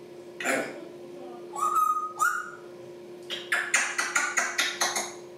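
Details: Captive African grey parrots talking and making noises; a harsh squawk, then a pair of whistled tones, followed by a fast series of about eight loud clicking, barking notes.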